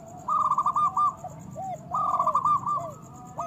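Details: Local zebra dove song meant to spur lazy doves into singing. Two clear phrases, each a string of quick, evenly spaced coos ending in a trill, followed by gentle downward-slurred notes.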